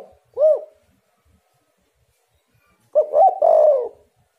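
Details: Spotted dove call used to lure other doves into answering; a single short rounded coo, then after a pause a three-part phrase ending in a long, slightly falling coo.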